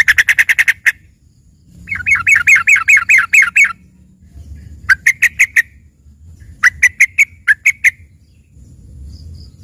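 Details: Yellow-vented bulbul (trucukan) singing a trained 'isian' song said to resemble a green leafbird: bursts of rapid, buzzy chattering notes near a steady pitch, repeated in four bouts separated by pauses, with low background rumble.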